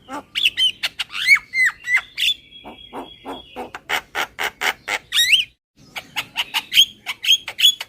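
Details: Kenyih-style lure call of the Javan myna: a busy mix of whistled, upslurred notes and harsh rasping chatter, including a short sustained buzzy tone, a brief pause, then quick squeaky calls.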